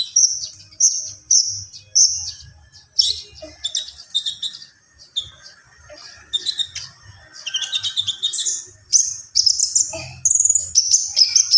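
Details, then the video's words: Konin (Javan pied starling) in 'gacor full isian' singing: short, high, sharp notes repeated unevenly, several every second at times, then grading into faster scratchy chatter and squeaks. "SUARA KONIN GACOR FULL ISIAN"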